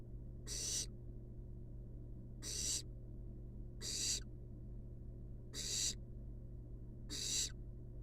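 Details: Napping wild barn owl babies in a monitored nest box produce five scratchy, hissing snore-like bursts, roughly every one and a half seconds, against a steady low background hum.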